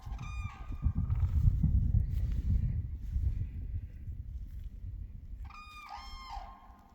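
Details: Spring cranes in Finland, 15 April 2023: a brief trumpeting note at the start, then a longer ringing, harmonic call near the end, over strong gusting wind noise.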